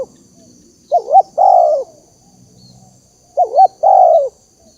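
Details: Spotted dove call used to lure birds: two phrases, each a bouncing double coo then a long falling coo, over a faint low hum.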